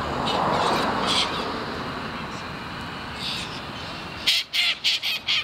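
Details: Long-billed corellas, medium-sized white cockatoos with red collars and thin curved bills, feeding on grass while staying alert for danger; after a stretch of broad noise, a run of five harsh, bright squawks comes in quick succession at the end.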